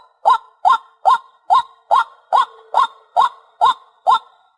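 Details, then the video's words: White-breasted waterhen lure call for hunting: ten loud, clipped, upward-hooked notes like kook, evenly spaced roughly every half second, clean and without other sounds. "Tiếng Chim Cuốc"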